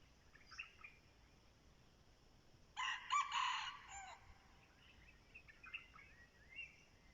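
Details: Red junglefowl kept as a decoy to lure wild birds gives one strong, hoarse crow of about a second, preceded and followed by soft scattered calls of other birds.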